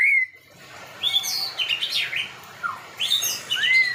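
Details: A clear falling whistle from a white-rumped shama, then scattered sweeping high notes and slurs over low background hiss.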